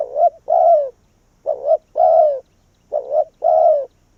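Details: Decoy spotted dove calling in wild doves, repeating a steady phrase three times: a quick double-humped note then a longer, gently falling coo, each phrase about one and a half seconds apart.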